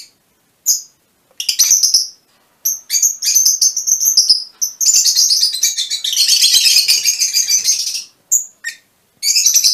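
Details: Fischer's lovebirds in a colour mutation give scattered sharp chirps that build into a long, dense, scratchy chattering burst, then short calls again.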